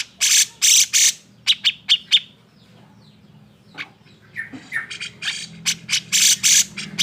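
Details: Grey-cheeked bulbul in an agitated state, calling to stir quiet birds into song: three loud harsh rasps, quick sharp notes, a silent gap, then renewed buzzy chatter and raspy bursts.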